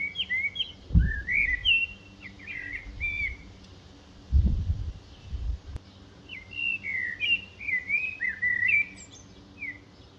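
Eurasian blackbird singing two mellow, fluty warbled phrases a few seconds apart, with low thumps of wind or handling noise between them.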